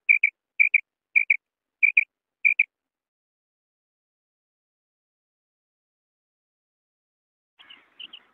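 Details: Common quail (Coturnix coturnix), call.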